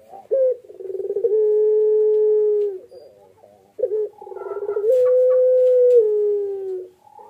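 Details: Barbary dove (puter pelung) cooing during incubation: two phrases, each a brief rising note, a rapid throbbing run and a long steady tone, the second pitched slightly higher before dropping.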